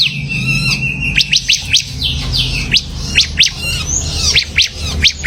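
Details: Bar-winged prinia (ciblek), called semi gacor, partly in full voice: a short whistled note, then a series of sharp, high, downslurred chips at uneven intervals of roughly half a second, over a soft low background hum.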